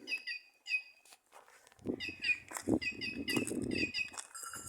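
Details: White-naped jay in trees at Simões, Piauí, Brazil, giving ringing, nasal double notes. Low rustling and handling noise come in midway, and the bird's calls continue over it.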